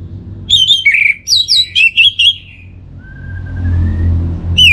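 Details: Orange-headed thrush recorded in North Bali as a lure for kept birds, rattling off a quick run of sharp, varied whistles and chirps, followed by a thin rising whistle and a rumbling low hum.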